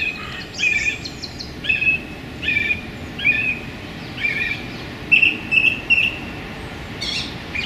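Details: Wild song thrush in a London park, sunny January: short varied phrases roughly every second, then a ringing motif delivered three times in a row.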